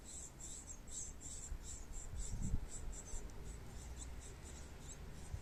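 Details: Great tits feeding their young give thin, very high calls about twice a second, over a low rumble and dull thumps.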